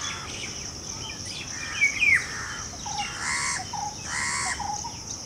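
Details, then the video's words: Golden oriole during the breeding season, giving a couple of sharp whistled notes followed by two harsher, buzzy phrases about a second apart, with a constant insect hum behind. "Golden Oriole (Sone Ki Chidiya - Reminder of golden period) its color and song"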